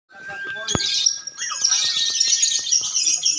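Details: Lovebirds at a bird singing contest in Indonesia, giving dense, continuous, high-pitched chattering trills. A steady tonal whistle and brief speech from the crowd are also heard.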